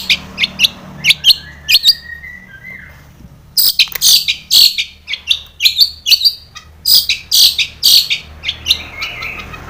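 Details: Long-tailed shrike song played to provoke captive shrikes into singing: scattered sharp high notes and a falling whistled glide, then a loud burst of harsh, chattering notes.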